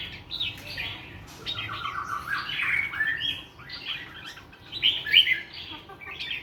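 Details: Morning song from a bird with a clean wild-forest voice: a continuous varied warble of slurred whistles and chattering notes, with a louder, sharper burst near the end.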